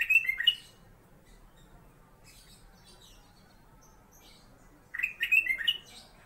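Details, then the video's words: A captive sooty-headed bulbul, which the owner calls a golden bulbul and keeps as a master song bird, gives two short bursts of bubbly, mellow warbled notes about five seconds apart, with faint high chirps between against a quiet background. "BURUNG "KUTILANG EMAS" KU BERBUNYI"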